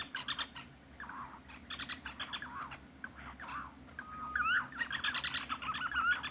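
Striped Cuckoo giving harsh, chattering bursts in quick runs about every second, with a few thin whistled notes mixed in.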